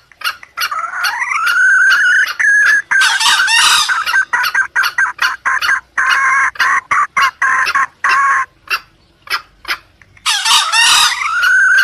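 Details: Call for luring wild junglefowl. A long rising note levels into a held tone, then harsh squawks and fast, uneven clucking. A second raspy burst closes with a rising note.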